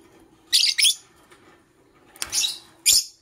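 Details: Morning chirping from a lovebird: loud, raspy, high shrieks in two quick pairs, a short gap, then a longer harsh chirp and a final sharp note.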